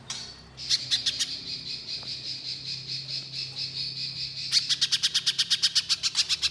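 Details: Little spiderhunter singing vigorously: a long buzzy, rattling stretch of notes gives way to a fast, even burst of sharp clicks near the end.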